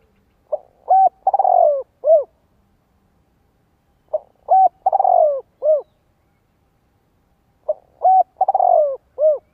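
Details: Spotted dove cooing, played to provoke decoy males into cooing back: low, mellow phrases of a short note, a rolling purr and two hollow closing coos, repeated about every three and a half seconds in silence.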